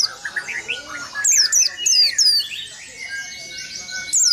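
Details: Open-beaked rolling song from an oriental white-eye that provokes competing birds: clusters of piercing, downward-sweeping whistles in the middle of the clip, while other birds chirp at lower pitch.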